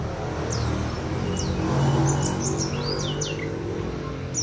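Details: Brown-chested jungle flycatcher singing on a bright morning: a run of clear whistled notes, mostly quick downward slurs, delivered about four per second against steady low background noise.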